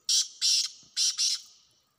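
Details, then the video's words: Wild black francolin recorded in a hunting setting, giving a harsh, grating call of four loud raspy notes in two pairs, the second pair following after a short gap, in an otherwise quiet background. "جنگلی کالے تیتروں کی آوازیں"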